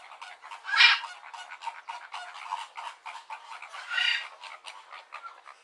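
Flamingos in a flock keep up a steady gabble of short, nasal, goose-like honks, with two louder bursts of overlapping calls about three seconds apart.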